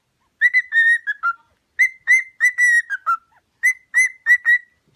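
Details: Cockatiel whistles for singing training: three quick phrases of level whistled notes, each phrase ending on a lower, falling note, against silence.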